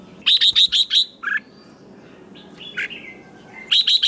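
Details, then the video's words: Red-whiskered bulbul in competition singing: a fast string of bright, clipped whistled notes, then softer scattered chirps and a drawn-out whistle before another quick burst at the end. "Kích chào mào hót đấu hay nhất"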